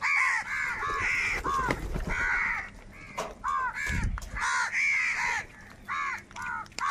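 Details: Crows in a huge flock squabbling over food, loud raspy caws overlapping in quick bursts, with a few low thuds beneath the calling.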